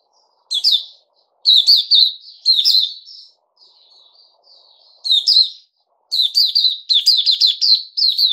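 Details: Bulbul of the Puteh Raja kind recorded 08052021 after a juice and mealworm combo: loud warbled phrases, a quieter soft twitter in the middle, then a fast rattling sequence of bright notes.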